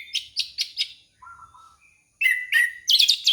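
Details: Orange-headed thrush singing, a sound offered for luring young birds to sing: a quick run of high scratchy notes, a brief lower whistle, then a loud, fast, twittering high phrase.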